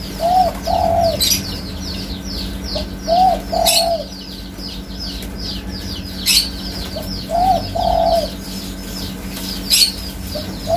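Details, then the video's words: Spotted dove giving low, soft cooing phrases, each a short note then a longer wavering coo, repeated every few seconds over a noisy background of constant high chirping from other birds, steady hum and occasional sharp clicks. "Suara Burung Tekukur Asli 100% Ori"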